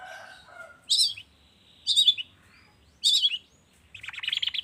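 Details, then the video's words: Morning lure call of a long-tailed shrike, used to make reluctant shrikes sing: a soft whistled phrase, then three sharp scratchy high bursts about a second apart, ending in a buzzy rattling note. "suara pancingan cendet cendet di pagi hari YANG BIKIN CENDET MACET sekalipun IKUTAN BUNYI toet toet"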